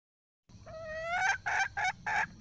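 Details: Red junglefowl hen, wild bird, gives one long rising tonal note, then loud rasping cackle notes in short bursts.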